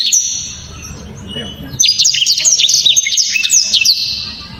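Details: A faint high whistle is followed by a loud two-second run of rapid, sharp, clear whistled notes and slurs from a blacktrod, delivered as a dense 'tembakan' burst.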